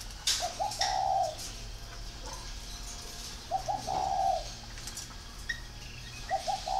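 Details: Soft, low coo phrases of a spotted dove, two quick notes followed by a longer held hoot, repeated about every three seconds over a quiet background.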